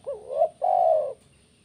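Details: Spotted dove of the 'kuk 1' style, its call offered to get other birds singing: a short low wavering coo, a brief pause, then one long, steady, mellow coo, all low-pitched.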